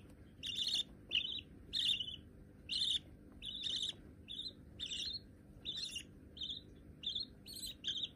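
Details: Budgerigar chicks, possibly both white, already tame enough to perch on a hand: short raspy chirps repeated roughly twice a second, each with a bright buzzy upper edge, over a steady low indoor hum.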